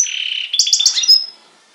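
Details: European goldfinch x canary hybrid singing on Syros, Greece, in July 2007, a loud sustained trill followed by three quick bright chirps and a thin high whistle that fades away.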